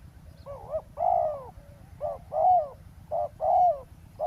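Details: Spotted dove cooing during ground decoy trapping beside a road: deep, soft hooted phrases, each a short double note followed by a longer, slightly falling coo, repeated about once a second, with a low rumble of background noise.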